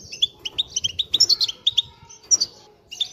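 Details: European goldfinches in collective twitter, played to rouse pairs and cure a silent bird's reluctance to sing; clipped, bright notes in rapid clusters, twittering in bursts separated by brief pauses, over a soft low rumble.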